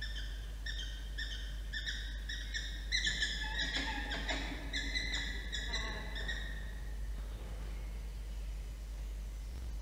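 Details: A peregrine falcon at a nest ledge on the day the female lays her third egg, 31 August 2023, gives quick, nasal, repeated calls running into longer drawn-out wailing notes, over a steady low rumble of wind.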